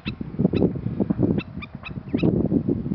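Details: Black-necked stilt (Himantopus mexicanus), Princeton, Texas, 19 April 2021, gives a warning call, probably at the recordist: sharp, nasal yapping notes, about two each second, over a heavy low rumble of wind on a windy day.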